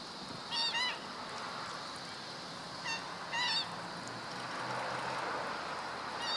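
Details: Black-winged stilt recorded 17 August 2013, giving short, nasal, yelping calls in brief bursts of one or two notes every few seconds, over a steady background hiss.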